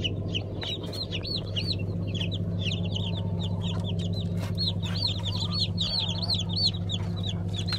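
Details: Black Ameraucana / Araucana chickens, a breed from a 2020 season flock; dense chorus of many high, arched peeps overlapping rapidly, about three per second, over a steady low mechanical hum.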